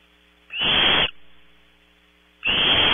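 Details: Nestling barn owls at Audubon Starr Ranch, California, compete for prey at 03:00. Two harsh, hissing screeches with a thin whistled top, about two seconds apart, with a low electrical hum throughout.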